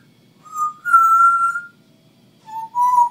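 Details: Pet female African grey parrot, one and a half years old, in the habit of talking to herself, gives clear steady whistled notes. A short note leads into a long held whistle, then two more notes, each slightly higher, in a quiet room.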